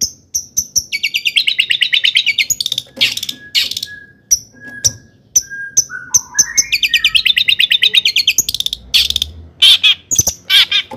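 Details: Long-tailed shrike in full, lively song, played to provoke other shrikes into agitation: a varied run of sharp chirps, fast rattling trills and buzzy repeated notes, then a few short pure whistles, and another burst of rapid chatter.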